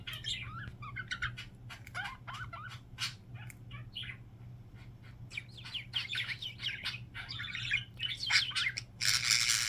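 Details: Several pet budgerigars indoors, one with a signature sound the others partly copy; busy, continuous warbling of chirps, squeaks and short whistles, ending in a loud burst of harsh rasping noise.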